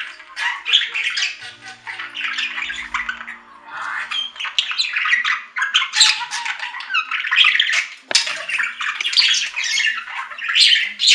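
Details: Budgerigar chatter, dense runs of scratchy warbles and sharp squawks, with one brief click partway through.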